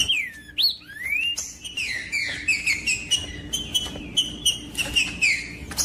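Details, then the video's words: Green-winged saltator singing, played to warm up and stimulate cold captive birds kept by tournament breeders; loud clear whistled phrases, slurred rising and falling, run together in a quick varied stream, with a faint steady low hum beneath. "MELHOR VÍDEO PARA ESQUENTAR TRINCA FERRO COM TRINCA FERRO CANTANDO"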